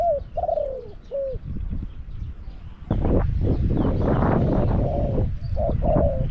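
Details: Spotted dove decoy in a cage, luring wild doves at Song Phi Nong. Three clear mellow coos open the recording, then loud rustling and handling noise, with fainter coos returning near the end.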